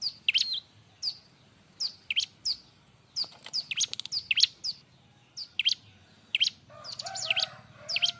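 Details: Bar-winged prinia in busy, lively song for training captive birds: high flat-then-falling whistles alternating with steep sweeps, phrases repeated in quick succession, a denser burst near the middle and a harsher chatter toward the end.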